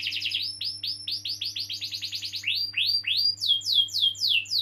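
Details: Singing canary, used as a stimulus for young canaries or those that stopped singing; a rapid series of downward-sweeping whistled notes, then slower, louder descending swoops, over a faint steady hum.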